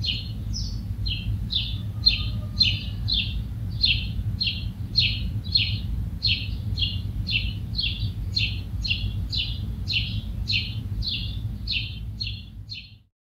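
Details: House sparrow (Passer domesticus) song: a steady run of loud, clipped chirps, about two or three a second, over a low rumble of distant traffic.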